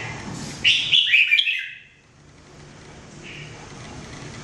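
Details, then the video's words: Red-whiskered bulbul singing in the mebah style for training: one lively whistled and warbled phrase of about a second, followed by steady hiss and a faint later note. "Training Jambul bird singing everyday 2017"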